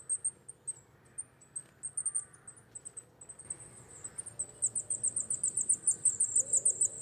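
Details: High-pitched coal tit notes, scattered at first, then a rapid, regular series of sharp repeated chips, several per second, growing louder toward the end.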